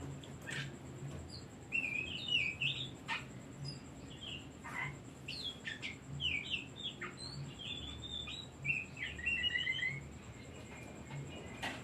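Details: Oriental magpie-robin delivering a long, rich song used to provoke other birds into singing: dense chains of mimicking-style chirps and whistles, with sharp clicks and a soft regular low pulse underneath.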